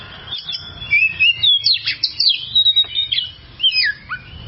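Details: Oriental magpie-robin tutor song for coaching caged birds: after a quiet start, a fast sequence of clear whistles, swoops and chipped notes in short bursts, several downslurred phrases, with a soft low background hum.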